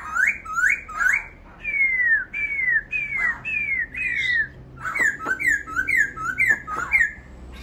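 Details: Laughingthrush repeating clear, upslurred and downslurred whistles in quick series, about two per second, in a close, clean recording.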